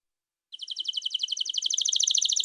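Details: Atlantic canary song meant for training young birds or stimulating birds coming out of molt: after a brief silence, a fast, even trill of bright pulsed notes that grows steadily louder.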